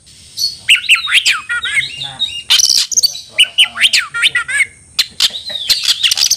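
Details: Oriental magpie-robin (kacer) challenging a rival to fight: busy varied song of sharp downslurred whistles, chattering notes and harsh buzzy bursts, repeated in quick phrases.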